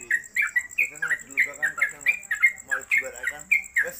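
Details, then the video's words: Rapid 'konslet kemedol' singing from a caged Yellow-vented Bulbul (trucuk) kept at home on a hanging pole: about fourteen sharp, bubbly chirps tumbling together at roughly four per second, with a faint high whine behind. "Trucuk Konslet Kemedol Berdurasi"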